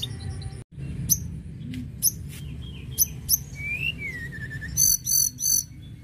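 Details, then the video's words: Mountain lark song, played to get other birds singing: scattered high chirps and sharp ticks, then a drawn-out whistle that slides down, ending in a quick burst of bright repeated notes over a low steady hum. "Tledekan gunung gacor"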